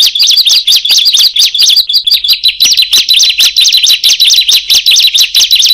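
Bar-winged Prinia pouring out a loud, fast stream of high, sharp chirps and trills, several notes each second, with no other sounds behind it.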